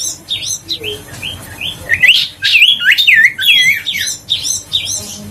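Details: Huyt co bird song used as a lure to make other birds sing: quick chirps and short whistles at first, then a dense loud burst of looping, overlapping whistled notes in the middle, easing off afterward.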